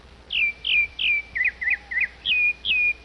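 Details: Grey-backed thrush, with a female feeding her young: eight high calls in about three seconds. Downslurred whistled notes frame three short, twisting chirps in the middle.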